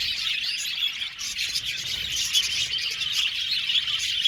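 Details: Budgerigars in a group chatter continuously, shrill twitters and brief whistled notes overlapping, with a few sharper chirps standing out toward the end.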